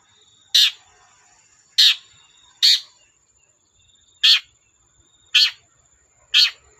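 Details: Long-tailed shrike giving harsh calls to provoke other shrikes into song: six short raspy, noisy bursts spaced irregularly about a second apart, with quiet between them.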